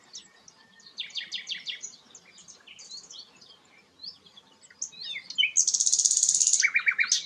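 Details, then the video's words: Sikatan londo flycatcher song, favoured by songbird keepers for its sweet voice: soft varied chips and short trills, then a loud, rapid, high buzzy trill lasting over a second, followed by lower twittering notes. "burung sikatan londo gacor"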